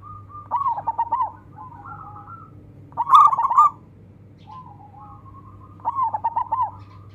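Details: Zebra dove, a local Indonesian perkutut with a long voice, calling rivals to sing; soft rolling coos with trilled notes, three phrases separated by quieter cooing, against a constant low background hum.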